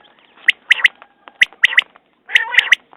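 A common quail gives three rounds of its sharp, clipped three-note 'wet-my-lips' phrase, about one each second, with a soft rasping murmur underneath.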